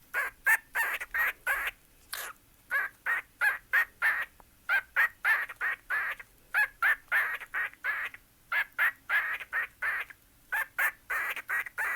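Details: A 2-year-old pet cockatiel "raps" to its own name in rapid, harsh, rhythmic syllables, several per second, mimicking speech.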